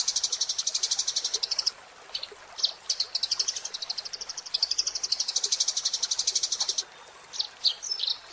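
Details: Energetic Eurasian tree sparrow chatter: long, dense trains of rapid high chirps, about four per second, broken by short pauses and a few scattered twittering notes, with faint background hiss.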